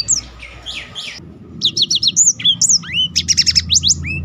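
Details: Black-throated canary singing to spur other birds on and serve as a training model; fast varied phrases of high whistles, descending slurs and rapid chattering trills, a low hum underneath.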